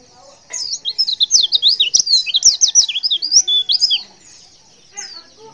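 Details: Female white-eye giving a lively call meant to draw a quick response from males of any type: a fast, high, twittering string of sharp rising and falling chirps lasting over three seconds, then a lone chirp after a pause.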